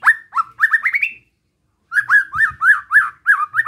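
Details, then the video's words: Relaxed besetan song of a white-rumped shama, meant to provoke rival shamas: rapid whistled notes climbing in pitch, a short pause, then a rhythmic run of rising-falling whistles. "Suara Besetan Santai Mancing Emosi Murai Lain | PANCINGAN MURAI BATU"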